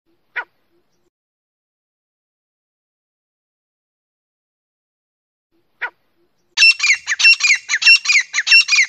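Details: Grey francolin pair, male and female, in breeding season, used as a hunting sound: two faint isolated clicks, then a burst of loud, harsh, rapidly repeated ringing notes over the last two seconds.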